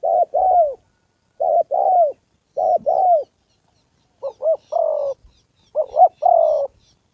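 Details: Spotted dove decoy number 81, Gia Lai, Vietnam, meeting a wild male and a female on the September holiday; three paired coos with drooping endings, then quicker clipped notes leading into longer falling coos.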